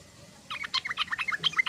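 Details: Sooty-headed bulbul (trucukan) in chattering ngoceh song: a fast run of short bright notes sliding between high and middle pitch, about a dozen in under two seconds.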